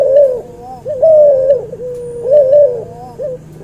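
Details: Hybrid cuhu bred from albino white puter and puter pelung, delivering three sustained, slightly wavering coos that drop into a lower drawn note. Muffled background cooing fills the gaps.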